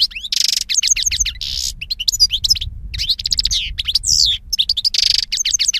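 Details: Jilguero (European goldfinch) singing busy twittering phrases, liquid chirps broken by harsh buzzy bursts, with low rumbling noise in the background.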